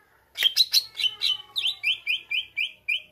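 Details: Greater green leafbird song used to provoke rivals: loud rough opening notes, then a regular train of clear rising chirps roughly four per second.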